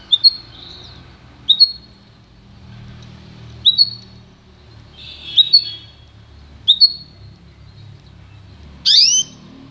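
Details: Pintagol, a goldfinch and canary hybrid, for song training, giving bright double whistled notes about every one and a half seconds, then a final harsh rising sweep, over a steady low hum.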